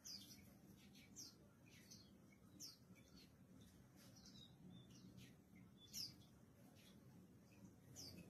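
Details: Mountain white-eye during morning sunning: thin, sharp high chirps repeated at uneven intervals of one to two seconds, with soft twittering between, heard over constant low-pitched background noise.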